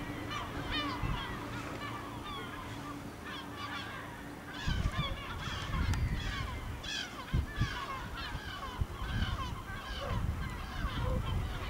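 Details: Village gulls circling over Ortegal, Spain, until nightfall; many overlapping mewing and squealing calls in quick succession, with a low hum early and rumbling background noise throughout.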